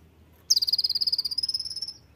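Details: Oriental white-eye: a high, fast trill of about seventeen even notes a second, lasting about one and a half seconds and levelling out slightly after a brief dip, over a faint low rumble.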